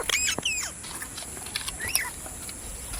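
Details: Parrot giving brief bright chirps and whistled slurs at the start, then one more upward-curving note near two seconds, with a constant high-pitched hiss throughout.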